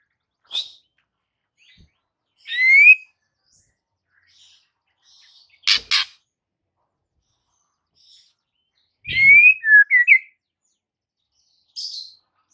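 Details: White-rumped shama song from a master recording meant to make a silent bird sing: isolated bright whistled upsweeps and slurred phrases separated by pauses, with a few sharp clicks between.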